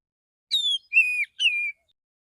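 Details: A male white-rumped shama calls other shamas with morning song: three pure whistles, a falling first note followed by two steady drawn-out tones.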